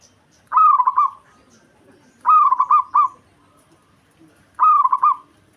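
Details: Local zebra dove singing actively, used as a lure to provoke rivals and stir mating drive. A rolling, stuttered cooing phrase comes three times, roughly every two seconds, in a quiet setting.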